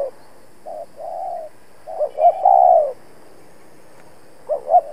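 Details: Decoy spotted dove calling for rival-luring in a trapping setup: two soft short coos, then a phrase of quick double notes ending in a long loud coo, followed by a pause and the next phrase starting.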